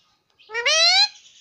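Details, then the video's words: A single drawn-out, nasal, rising utterance lasting about half a second, full of overtones, from a pet parrot that talks nonstop, saying mummy and papa. "parrot talking || nonstop talking mummy papa"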